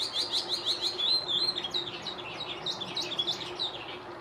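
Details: Chestnut-cheeked starling singing, recorded 14 May 2021, a song unfamiliar to the recordist: rapid run of thin, squeaky chirps and short downslurred whistles, tumbling along quickly with a steady low hum in the background.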